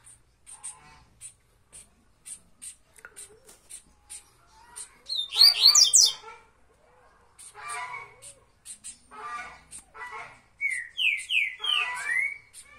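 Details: Bahia-type double-collared seedeater (Sporophila caerulescens) singing at length in tuituí style: lively, varied phrases of twittering, buzzy and slurred whistled notes over a steady series of high, quick ticks about three per second.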